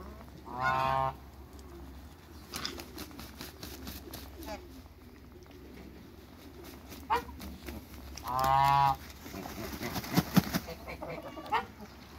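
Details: Backyard African and Toulouse geese, crossed to create a new hybrid, give two loud, brassy honks about eight seconds apart, with quieter clatter and faint voices in between over a low hum.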